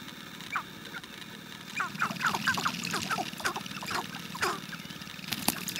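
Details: Sharp-tailed grouse at a courtship display, giving a busy chorus of short clucking and cooing notes with scattered sharp clicks, several birds overlapping, over a constant low rumble.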